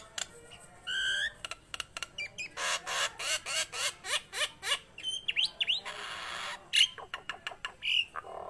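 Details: Nias hill myna singing energetically, a busy mix of loud broadband squawks, rapid repeated harsh bursts, and rising and falling whistled notes with a few sharp chirps near the end.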